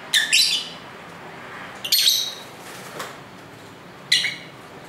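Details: Lovebirds singing and talking at home, recorded with a camera's built-in mic: shrill, raspy chirps in short clusters, one faint lower note between, over steady street hiss.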